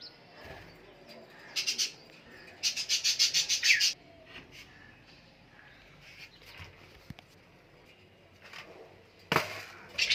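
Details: Budgerigar eating palak (spinach): short bursts of buzzy, rapidly pulsed chatter, one lasting about a second, with scratchy scraping and soft clicks between them.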